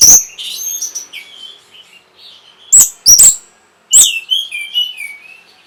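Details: Orange-headed thrush singing, used to stimulate breeding condition and provoke a response: high thin whistles and warbled phrases, interrupted by three loud explosive bursts, with fading falling whistled notes after.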